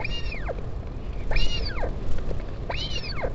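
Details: Parent visit to a northern royal albatross chick, Taiaroa Head colony, Dunedin, New Zealand, 16 July 2019: three long, downward-curving whining calls in quick succession over gusty low wind noise.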